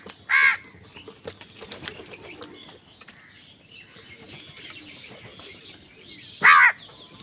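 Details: Crow fighting with wild birds over food: two loud, harsh, abrupt caws about six seconds apart, each short and rasping, with soft twittering and chattering from other birds filling the quieter gap between them.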